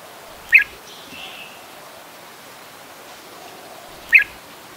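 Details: Adult red-whiskered bulbul recorded in Ubon Ratchathani, Thailand, on 16 December 2020: two short bright chirped notes about three and a half seconds apart, with faint soft calls between over quiet rural background.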